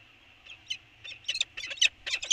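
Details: Peregrine falcons on Anacapa Island calling back and forth early on 24 January 2020; harsh, scratchy bursts that grow from sparse notes into dense, rapid chattering.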